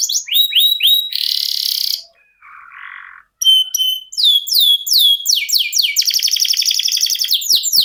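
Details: Caged domestic canary in long-duration rolling 'ngerol' song, kept as a tutor bird for competition songbirds: rapid high repeated sweeping notes, then a buzzy trill, a short lower rasp and a pause, then fast rolling phrases of descending notes.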